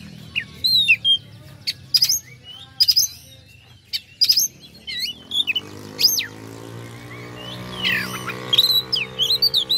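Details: Oriental magpie-robin song used to provoke rival birds, given in scattered bursts of sharp whistled upsweeps and buzzy chips with pauses between, over a faint low hum.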